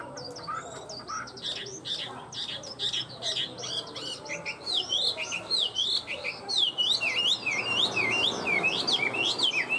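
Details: Tame Chinese hwamei singing: a fast, varied run of clear whistled notes, with high upslurs and downslurs giving way to loud, repeated V-shaped whistles near the end, delivered several per second.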